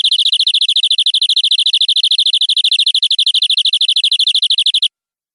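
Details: Domestic canary in a long tutor song recording for training young canaries: a steady, very rapid trill of bright, even notes held unbroken for almost five seconds, then ending abruptly, with no other sounds.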